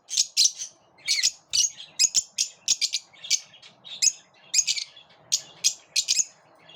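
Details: A lovebird group squabbles as the birds repel each other: a long series of piercing, rasping chirps, often in pairs, spaced irregularly throughout.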